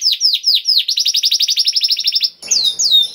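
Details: Canary delivering special 'cengkok' song: three downward-swept whistles, then a long fast trill of about twenty evenly repeated notes, followed by bright descending whistles after a brief gap.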